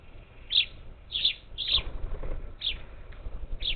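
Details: Parakeets feeding at a Gulf Coast feeder outside Houston, Texas, 27 July 2021, utter loud grating squawks, some doubled, in quick succession against soft low noise.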